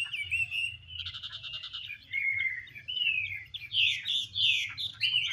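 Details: Chinese hwamei, a female dancing with spread feathers to spur the male into song: varied clear whistled phrases, slurred and rising notes, a short buzzy rattling burst near the start, with a low background hum.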